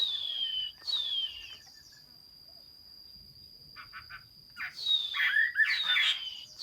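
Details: Recorded 15 June 2021, a Chinese hwamei gives long descending whistles at the start, falls quiet, then returns with more gliding whistles and a burst of busier notes, with a steady high background whine.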